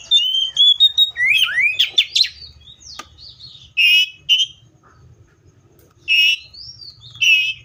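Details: Seychelles magpie-robin pouring out fast sweeping whistles and upward slurs, then pausing between loud harsh buzzy bursts spaced a few seconds apart.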